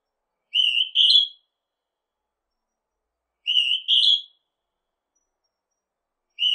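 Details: Northern hawk-cuckoo giving a shrill two-part whistle, a lower flat note then a higher, louder one, repeated about every three seconds with silence between.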